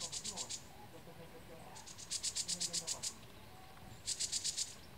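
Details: Call of a green-backed tit, Dasyueshan Forest Recreation Area, 16 March 2015: three quick series of high, sharp ticking notes, the middle run longest at around a dozen notes, with faint low murmuring in the background.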